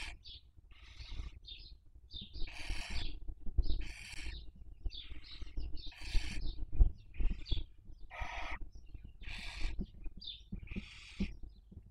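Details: Nesting barn owls raising young, 2023 breeding season, Cabañeros National Park, Spain, webcam recording: a steady series of harsh screechy hisses roughly every second, interleaved with brief nasal chirps, over a constant low hum.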